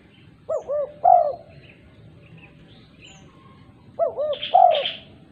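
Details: Female spotted dove, a lively caller, calling other doves: two coo phrases, each two short arched notes followed by a longer, louder coo, about three and a half seconds apart, with faint high chirps from other birds.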